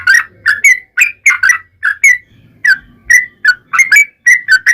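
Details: Lure song of a yellow-vented bulbul for drawing other bulbuls into song. Mellow, liquid phrases of two or three slurred notes are separated by short pauses, with faint low background noise.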